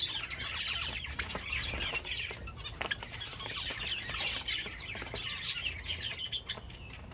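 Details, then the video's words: Java sparrows keep up a dense, high chirping chatter with rippling trills, punctuated by frequent sharp clicks over a low, steady hum. "Most Beautiful Java Songs Ever"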